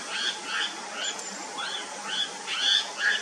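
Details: White-capped redstart, a common river-side bird of the Himalayas, giving a series of short, thin, upslurred notes repeated roughly every half second over a steady rushing hiss of stream water.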